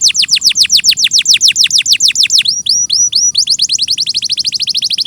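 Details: Canary song in a clear recording used to train birds: a quick trill of falling sweeps gives way to a run of rising, curled notes repeated several times a second.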